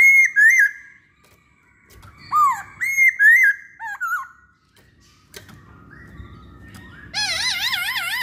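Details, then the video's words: Masked laughingthrush singing as a lure for other masked laughingthrushes. Whistled rising and falling slurs come in groups, a sharp knock follows, then a fast wavering warbled trill over background hum. "Pancingan Poksay Hongkong"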